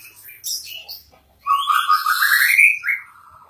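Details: Energetic song of a white-rumped shama. A few high chirps give way to a long, clear whistled phrase that rises in steps, then falls into a softer trill.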